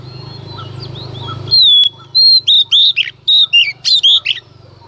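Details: Female Oriental magpie-robin singing intensely in the early morning to provoke males: after a quiet, noisy start, a run of loud, clear whistled notes, some sliding and some rising, in quick bursts with short gaps.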